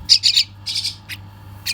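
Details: Baby bird being fed, giving harsh, raspy high-pitched squawks: three quick bursts, a longer rasp, then two short single calls spaced apart, over a faint steady low hum.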